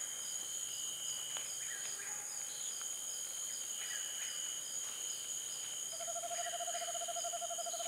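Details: Eastern screech owl giving a level, even monotone trill that lasts about a second and a half near the end, set against a loud, continuous insect drone and chirping crickets.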